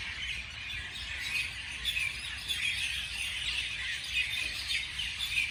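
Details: Several birds calling in the morning, softer and more distant, their high chirps blending into a hazy, continuous twittering.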